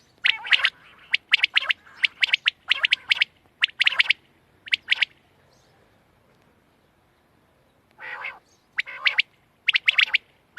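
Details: Quail uttering dense runs of crisp chirps for about five seconds, a near-silent gap, then a rougher note and more clustered chirps at the end.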